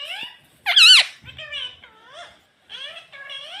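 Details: Talking pet rose-ringed parakeet imitating "mummy": one loud, shrill, wavering burst, then softer, nasal, rising and falling phrases with short gaps.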